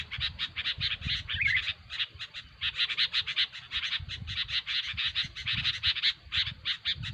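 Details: Busy, noisy sooty-headed bulbul calls: long runs of rapid, scratchy chatter broken by brief gaps, with a single higher whistled slur early on.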